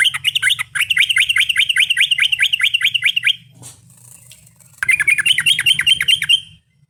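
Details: Yellow-vented bulbul singing, used to attract other birds: a quick train of identical downslurred whistled notes, a pause with faint hiss, then the series resumes, over a constant low hum.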